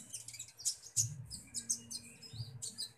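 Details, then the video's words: Feeding time for a common iora, with rapid, raspy high chirps running almost without pause and a low rhythmic hum in the background. "burung konin ijoan"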